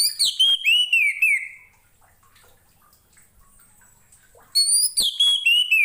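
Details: Orange-headed thrush singing, recorded as a master song for other birds: a loud phrase of high clipped notes sliding down into a long falling whistle, then a pause, then a similar phrase.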